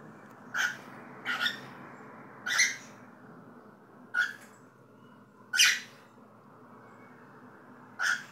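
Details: Cockatiel giving loud, harsh chirps, six over about eight seconds at uneven gaps, each a short buzzy burst; a steady low hum sits underneath.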